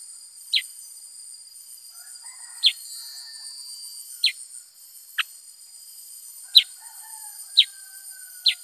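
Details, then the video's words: Black-headed bulbul: seven short, piercing downward chirps at uneven gaps, with faint softer bird notes in the background and a steady high whine. "Burung KUTILANG SUTRA GACOR Bongkar Isian ( Pycnonotus Atriceps )"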